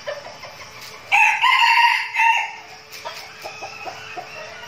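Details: In Bù Đăng, Bình Phước, Vietnam, a trained flock of decoy red junglefowl rehearses; one bird delivers a loud, hoarse crow in two swelling parts, then quiet clucking taps follow.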